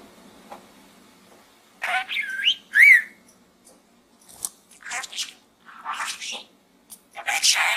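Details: Pet budgerigar chattering inside a small gourd indoors; a few short scratchy bursts and a clear rising whistle near the start, then scattered buzzy chirps separated by brief pauses.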